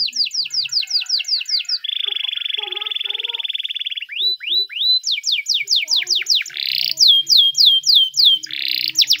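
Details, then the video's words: Timbrado canary in training song, moving from quick downslurred trills into a long flat rattling roll, then scattered upswept notes, fast falling whistles and a buzzy burst, each tour distinct and loud. "The best Timbrado canary singing video!! Canary Training song"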